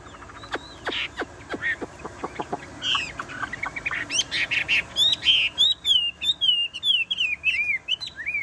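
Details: Tame caged Chinese hwamei: dry tapping clicks at first, then a burst of loud whistled song with rising and falling looped notes repeated rapidly to the end.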